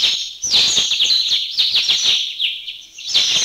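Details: A flock of about 30 mountain bulbuls in a Thai national park calling together, a dense chatter of overlapping high, bright chirps and slurred notes running almost without pause.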